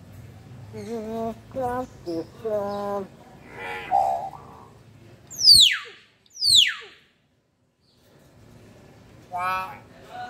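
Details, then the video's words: Common hill myna in a vocal duel against another hill myna, giving nasal harmonic notes in quick pairs, a hoarse burst, then two loud, steeply falling whistles, a pause, and a final rising harmonic phrase, with low room hum. "Burung Boe Adu Mekanik dengan Burung Boe lain"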